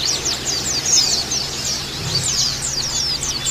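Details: Oriental white-eye lure for caged group-kept birds: slightly sparser high twittering of sweeping slurred notes and quick chirps throughout, over a low hum with a short deeper rumble midway.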